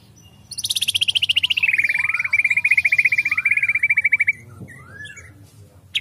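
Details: Agitated white-rumped shama: a long fast trill that starts very high, slides downward and then holds a level buzzy pulsed tone for nearly four seconds, with soft warbles beneath.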